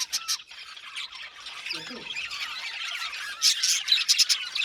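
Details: Budgies chirping in an aviary colony: rapid, tumbling squeaks and warbled twitters from several birds, growing louder with sharp bursts of clipped chirps near the end.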